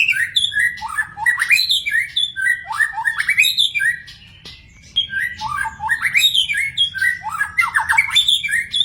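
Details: Free-living magpie-robin singing lively phrases of rising whistles and fast rattled notes, with a short pause midway and then more bright, varied warbling.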